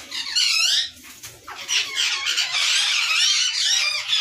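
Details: Ringnecks in a Pakistani breeding colony, 2022: rapid harsh screeching and chattering from several parakeets, a short quieter gap, then a steady, loud, overlapping chorus.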